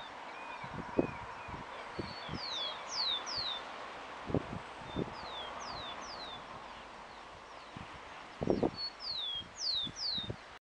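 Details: Hooded siskin at Parque del Plata, Uruguay, 17 November 2020: repeated thin, high descending whistled notes in loose pairs and clusters, with rustling and knocking sounds nearby.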